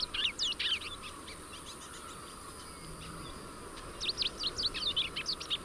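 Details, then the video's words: Rusty-collared seedeater song: two bursts of rapid, jumbled, high chirping notes, at the start and again near the end, with fainter scattered notes between, over a steady thin high-pitched whine and low background rumble. "Canto do Coleiro do Brejo"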